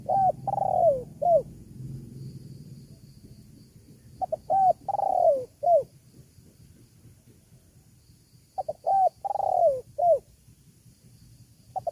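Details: Spotted dove call played to lure wild doves. Three phrases of short notes build into a long, sliding, descending coo and a closing falling note. A soft low hum runs underneath through the first part.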